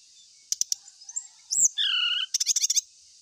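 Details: Ashy tailorbird giving scattered ticking clicks, a short sweep, then a sustained whistled note and a rapid burst of clicking notes, against a constant high hiss.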